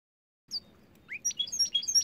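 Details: Caged goldfinch x canary hybrid in winter sings a quick burst of bright, twittering notes, sliding and chirping high, over a faint low background hum.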